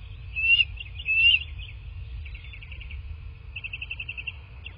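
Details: Bald eagles call at their southwest Florida nest at 09:47 on 15 March 2024. Two rising, thin whistles are followed by softer, rapid chattering runs of pulsed notes. A steady high hum and low rumble continue throughout.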